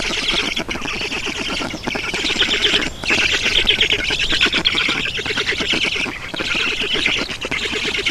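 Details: Black storks at a nest in Estonia on 7 June 2019, just after 11 in the morning, water being brought: hoarse hissing squawks in long bursts separated by brief lulls.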